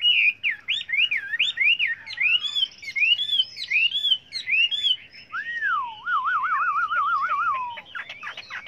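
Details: Chinese hwamei singing in many voices for training: looping whistled phrases repeated in a wavy pattern, followed by a long, even vibrato trill and a scratchy ending.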